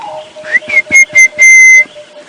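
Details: Orange-breasted Bushshrike in the dawn chorus at 5:30 AM on 5 October 2016, in a drainage line in north-eastern South Africa, Djuma Game Reserve. It gives a run of four or five clear, level whistles, the last held longest, over a low hum.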